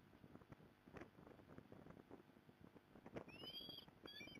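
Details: Osprey at a Port Lincoln, Australia nest on 15 November 2020, mother coming to help: after steady wind roar, a brief pair of high, slightly rising whistled chirps near the end.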